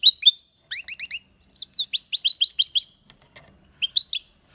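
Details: Aviary goldfinch song in short bursts: clusters of bright rising chirps, a few quick twittering notes in a row, then pauses and isolated sharp high calls near the end.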